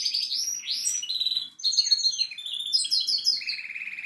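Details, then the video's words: Goldfinch song, a rapid continuous stream of tinkling twitters, short upward slurs and rasping buzzy trills, broken by one brief pause midway. "Best goldfinch singing."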